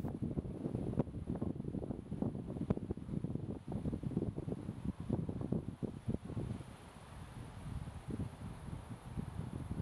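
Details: No animal voice, only gusty wind buffeting the microphone with rustling and low rumbling throughout.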